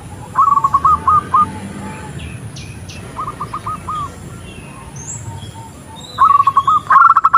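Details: Zebra dove, a female calling to a male, played to lure doves: three rapid runs of short cooing notes at a level pitch, the middle one softer and the last loudest, over low background hiss.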